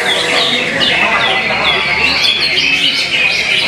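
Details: Caged competition Greater Green Leafbird singing at a bird-song contest on 16 July 2023, where it placed third runner-up; loud, continuous run of bright whistles and chattering phrases over a constant crowd-like background.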